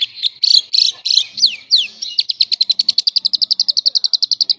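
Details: Lovebird singing semi konslet gacor, meant as master song for other lovebirds: a few harsh chatters and two sweeping downslurred whistles, then a fast, even trill of sharp high chirps.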